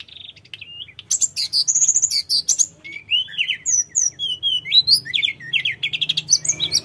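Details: Sooty-headed bulbul in full song as a lure for birds to answer: after a few soft opening notes, an energetic stream of high trills, swooping whistles and chattering phrases runs continuously to the end.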